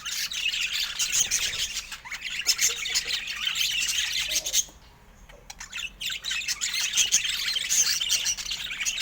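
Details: Chirping budgerigars kept as pets: rapid high tweets and warbled squeaks about three per second, a brief near-silent lull a little after the midpoint, then the busy chatter resumes.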